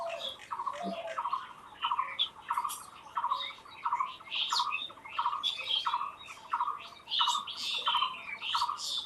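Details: Raw outdoor bird song: bursts of a repeated buzzy trill with brighter chirps rising above it, the phrases coming in rhythmic clusters about every second, with a soft whistle near the start.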